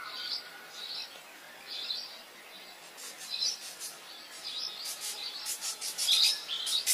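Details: Birdsong in the wild: a short whistled phrase repeated about once a second, then rising into quick bright chirps and high twittering notes, over a soft natural background hiss.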